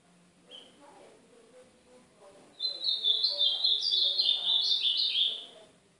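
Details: Ultramarine grosbeak, northeastern song style, played to warm up a pet golinha. A short single note and soft low sounds come first, then a lively, high, run-on warbled phrase lasts almost three seconds before ending.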